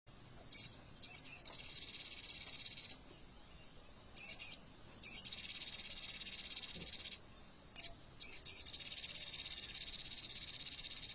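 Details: Crimson sunbird (sogon) training song of the "AK47" style with dense, fast delivery: very high, rapid buzzing trills lasting one to two seconds, each opened by short stuttered notes, repeated after brief pauses, with no other sounds.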